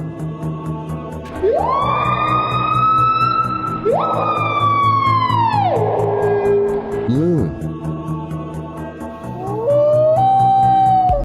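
Loud, nasal, siren-like wails from a peafowl, rising sharply then holding before dropping away, three long cries over a steady music bed.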